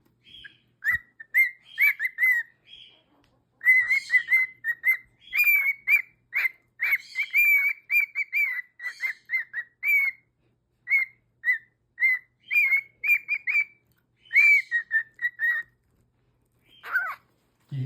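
A cockatiel sings a run of clear, bright whistled notes in quick bursts, pausing briefly between phrases.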